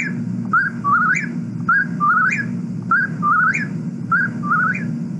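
Eastern Whip-poor-will repeating its rhythmic three-part whistled 'whip-poor-WILL', about once a second, each phrase rising sharply at the end, over a low steady hum.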